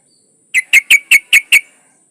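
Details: A female yellow-vented bulbul in breeding condition calls a male with six loud, evenly spaced, piercing notes delivered within about one second, with no other sounds.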